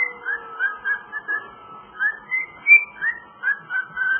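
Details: Pet cockatiel whistling Jingle Bells, a melodic phrase of slurred and rising whistled notes, the highest note near the middle, with soft background hum.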